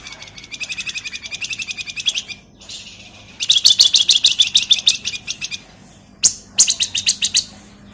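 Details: Three long runs of rapid, buzzy chattering from a male flamboyan, each a fast train of high, harsh notes, broken by short pauses, with a low steady hum behind.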